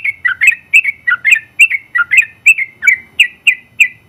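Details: Sooty-headed bulbul, winner of its competition class, pouring out a steady 'gacor' stream of bright bubbly chirps, roughly three per second, each note a quick liquid twist, some paired, with little background noise.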